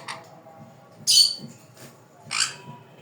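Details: Sun conure chicks give two loud, harsh, rasping squawks about a second apart, with fainter scratchy calls and soft low pulses between them.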